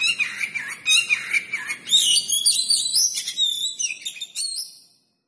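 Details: Oriental magpie-robin of the 'kacer pinggiran' form, a kept bird, in 'full materi huwambi' song: lower warbled phrases turn into high, bright slurred whistles and trills, then fade to silence near the end.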